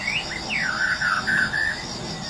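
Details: White-rumped shama of the Medan type, natural morning lure recording meant to stir silent birds into singing: clear whistled phrases slurring down and rising, steady high insect trilling throughout.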